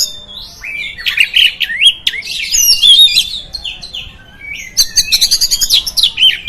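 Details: Oriental magpie-robin song meant to provoke other magpie-robins: varied whistled phrases and slurred notes around mid-high pitch, broken by a pause, then a rapid burst of buzzy clicking notes before more whistles.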